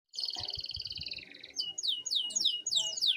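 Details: Canary song used as a master recording for training other birds: a fast, even trill held for over a second, then a run of sharp descending sweeps and chirps, with faint low thumps beneath.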